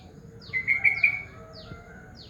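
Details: Yellow-vented bulbul calling in the morning on Nusakambangan, a short bright burst of clear whistled notes run together in under a second, with fainter descending sweeps around it.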